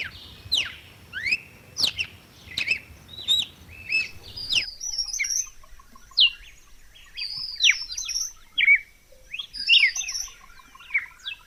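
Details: Song of a red-cowled cardinal: bright slurred whistles sweeping up and down in quick phrases, with a second layer of higher thin notes; low noise drops away after four seconds.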